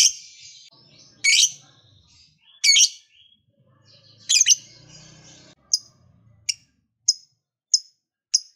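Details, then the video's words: Lovebird calling with rasping chirps spaced over a second apart, then a run of five sharp, thin high ticks at a steadier pace; used to encourage other lovebirds to sing. "LOVEBIRD LOYO DIJAMIN JADI SEMANGAT BUNYI LAGI, Setelah Mendengar Suara Burung Lovebird Satu Ini"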